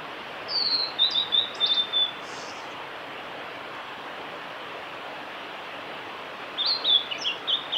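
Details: Song of a male blue-and-white flycatcher at Lake Miyagase, Kanazawa forest road, Japan, recorded 5 May 2018. A bright, whistled phrase of a few fast, slurred, high notes is followed by several seconds of silence, then a second phrase, over constant rushing noise.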